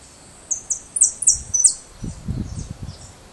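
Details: Young white European goldfinch just beginning to sing; very high, thin, bright whistled notes come in a quick run of five or six in the first two seconds, then fade, followed by soft low thumps.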